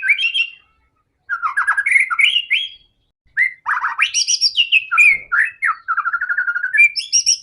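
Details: Singing white-rumped shama used to stimulate other shamas into song; varied phrases of slurred whistles, quick downward trills and high sharp notes, in bursts separated by short pauses.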